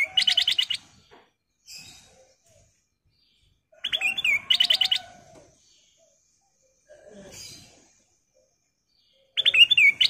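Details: Bulbul known locally as kutilang emas, calling as a lure to set others singing; three loud bursts of rapid, bright chirps spaced about four seconds apart, with softer scratchy sounds in between.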